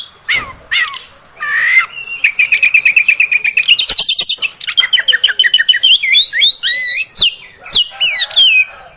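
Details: Female oriental magpie-robin voice meant to provoke males: a few downslurred whistles, then a long rapid rattling trill, a brief rasp, and a string of looping, wavering whistled notes.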